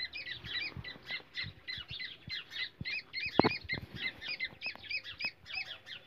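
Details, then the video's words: Black francolin calls used in India to lure and trap francolins, described as a baby francolin voice: crisp high two-part chirps repeated steadily about four times a second, with a few soft knocks. "teetar voice Kala teetar"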